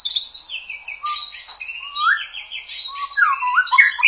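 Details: Energetic murai batu, or white-rumped shama, song: continuous overlapping whistles and warbles, upslurred notes and quick trills packed closely, rising in loudness at the close.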